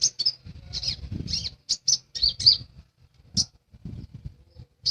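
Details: Lesser green leafbird singing actively: sharp, high chirps and short twittering notes in quick bursts separated by pauses, with low thumping handling noise underneath.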